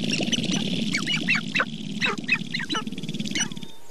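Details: Group of sharp-tailed grouse at Namekagon Barrens, northern Wisconsin, in April, recorded on a Canon 5D Mark II with two Sennheiser ME67 microphones: choppy downslurred clucks over a low purring rattle that drops away, leaving a faint tone.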